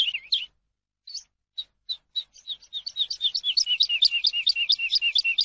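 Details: Eurasian skylark singing, a recording for teaching caged birds: a brief warble, scattered single chirps that gradually come closer together, building into a steady fast string of rolling, looping high notes.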